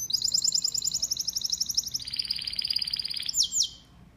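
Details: Male domestic canary song: a fast high bubbling trill stepping down to a slightly lower, buzzier rolling trill, then two quick downslurred whistles before silence.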